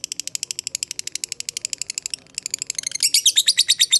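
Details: Lovebird in long 'ngekek' chattering song, used as a lure for fighter lovebirds; rapid, high, evenly repeated ticking notes that grow louder and denser after about three seconds.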